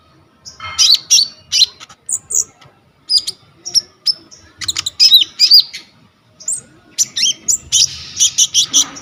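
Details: Konin (coconut lorikeet) in energetic 'gacor full isian' singing, used as a tutor for training songbirds, recorded on a phone: bursts of high, buzzy screeches and sharp rising chirps come in quick clusters with short pauses between.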